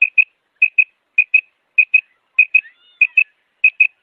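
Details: Calling female quail repeats bright, high two-note phrases seven times, one pair roughly every 0.6 seconds. A soft gliding whistle sounds midway, against a quiet background.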